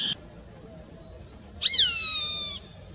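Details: Roadside hawk giving one loud, harsh, drawn-out scream lasting about a second, starting with a sharp rise and then trailing slightly downward, against a quiet background with a faint short note just before it.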